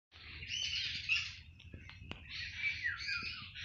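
Spotted owlet giving two bursts of harsh, scratchy, high chattering screeches, each about a second long, with a brief pause between.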